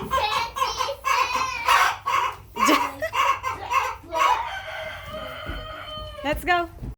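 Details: Farm chickens clucking in quick repeated bursts about once a second, broken by louder rasping squawks, then a long drawn-out call near the end, with low background rumble.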